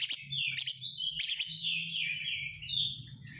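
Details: White-rumped shama lure song with dense 'crecetan' chattering: three loud harsh high bursts about half a second apart, each sliding into a falling buzzy trail, over a low background hum.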